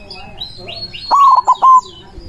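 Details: White zebra dove singing loudly in manggung style to call rival doves: one cooing phrase with a sharp rising opening, two brief clipped coos and a drawn-out last note, with soft twittering of other small birds behind it.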